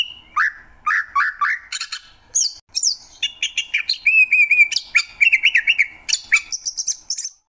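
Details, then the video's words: Greater green leafbird singing a rich, varied song: rising slurred whistles, rapid chattering trills and fast repeated notes with sharp high flourishes, delivered in quick bursts with short pauses. "Cucak ijo, suara kicauan burung yang indah."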